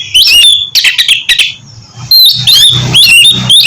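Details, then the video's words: Oriental magpie-robin (kacer) song used to stimulate a reluctant caged bird to sing: loud phrases of sliding whistles and harsh buzzy notes, broken by a quieter gap, with a faint low hum beneath. "terapi kusus untuk penggacoran burung kacer yg masih malas bunyi atau macet"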